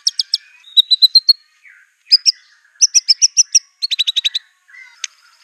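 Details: White-rumped shama singing hard with imitated canary, cililin and cungkok phrases: short clusters of rapid high clipped notes, a few level whistles, each burst different in pitch and pace, with brief silences between.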